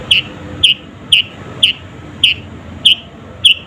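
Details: Lively sooty-headed bulbul, real voice without filler songs, used to lure and anger rival birds; single crisp chirps repeated about twice a second, even and steady, over a low hum.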